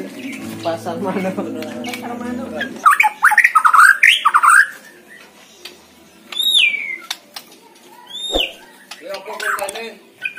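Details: White-rumped shama at a bird contest, singing busily. Harsh chattering with lower murmuring for about three seconds, then loud bursts of rising and falling whistles, followed by clear downslurred whistles separated by short pauses.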